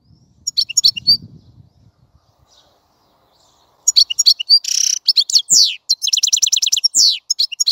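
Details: European goldfinch song starting with a few chirps, then a pause, then a burst of tinkling twitters, a harsh buzzy note and a rapid run of repeated high notes. Faint low rustling early on.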